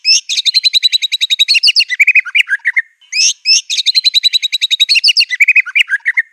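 White-rumped shama delivering a fast, high trill of about twenty sharp repeated notes that drops into lower chattering notes. The three-second phrase is sung twice.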